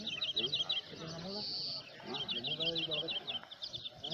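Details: European greenfinch singing at the first greenfinch song contest, El Torviscal, Seville, Spain, 2018: bright repeated twittering trills with one long drawn-out wheezy note in the middle, over a steady murmur of people talking nearby.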